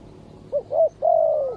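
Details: Spotted dove at a decoy trapping site; one phrase made of a short note, a rounded second note and a long, gently falling coo.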